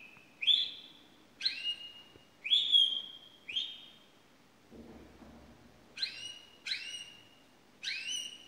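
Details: High, pure whistles from a pet canary, each starting with a sharp rise and then holding a long falling tone, repeated about every second, a brief low rustle midway, then three shorter sweeping notes.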